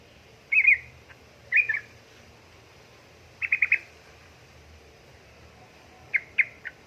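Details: Female sooty-headed bulbul calling a male: four short bursts of scratchy chattering notes separated by pauses of about a second or more, over quiet low background noise.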